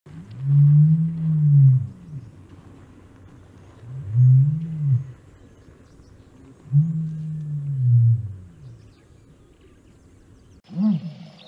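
An ostrich gives three deep, hollow booms, each about two seconds long, spaced a few seconds apart. A brief, brighter call starts at the very end.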